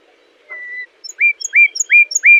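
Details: Common nightingale song phrase used for tutoring canaries: one steady mid-pitched whistle, a short pause, then four identical sharply upslurred notes repeated about every third of a second, each with faint high overtones.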